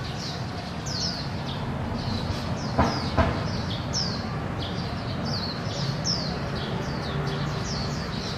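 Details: Japanese white-eye family foraging for small insects in bushes, 24 August 2016, around 17:58, recorded on a Canon PowerShot SX700HS; short, thin, high chirps slurring downward, repeated about two or three per second, over a steady low rumble like traffic.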